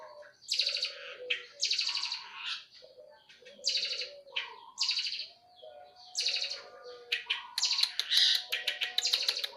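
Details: Eurasian tree sparrows fighting: bursts of harsh, buzzy chirps in clusters about every second, with short rapid rattling chatter toward the end and faint lower notes beneath.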